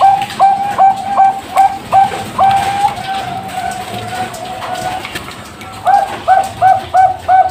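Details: Bangkok-type zebra dove, captive in Pasuruan, East Java, Indonesia, hatched 24 September 2023, singing stuttering cooing notes that run into a long drawn trill, a pause, then a lively closing series of about six crisp coos.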